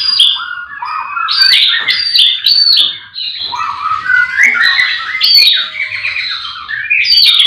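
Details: Morning at a livestock pen where all the birds are singing, a white-rumped shama delivers a continuous medley of rising whistles and chattering phrases at high pitch with few pauses.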